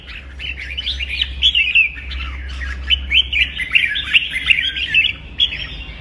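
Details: Red-whiskered bulbul singing intense kích bổi song meant to urge bulbuls to sing competitively: a continuous tumbling run of bright warbles and chirps, steady throughout with frequent louder accents.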